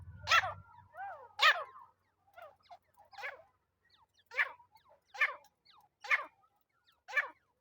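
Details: Francolin (teetar) call played as a lure for net trapping: a series of harsh, scratchy bursts with strained harmonic notes, about eight in under eight seconds, louder at first then evenly spaced, with a brief low hum at the start.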